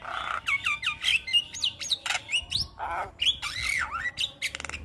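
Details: Javan myna song meant for tutoring young birds: fast down-slurred whistles, harsh squawks, and a sweeping whistle that dips and rises, ending in dry rattling clicks.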